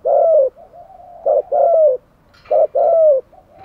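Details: Caged decoy spotted dove cooing to lure and excite wild doves: deep two-part phrases of a short note then a longer falling coo, repeated about every 1.3 seconds, with soft murmured coos between.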